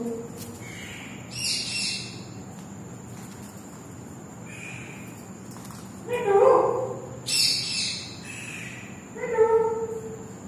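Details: Talking parrot producing short speech-like harmonic bursts after someone says hello, about four utterances spread over ten seconds, some raspy and broad, others tonal and lower, against a steady faint background hiss.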